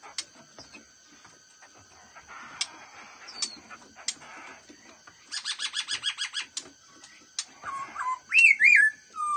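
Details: Black-throated laughingthrush singing in the fast-beak style: scattered notes, then a rapid burst of about ten bright, evenly spaced chips, ending in loud rising and falling whistles over a steady high hum.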